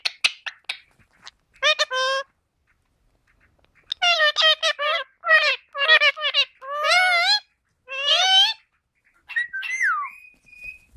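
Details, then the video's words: Pet Indian ringneck parakeets talking: short bursts of speech-like, harmonic phrases with bending pitch, separated by brief pauses, ending in a rising whistle; an indoor setting. "indian ring necks parrots talking"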